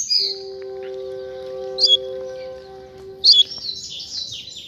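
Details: Double-collared seedeater on a street, one of a pair, sings short high buzzy twitters over steady tonal background music.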